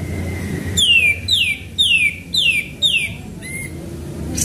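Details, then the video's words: Sooty-headed bulbul singing strongly, used as bait to provoke others: five loud downward-sweeping whistles spaced about half a second apart, then a brief lower note, over faint low noise. "Pancingan Burung Kapas Tembak Gacor"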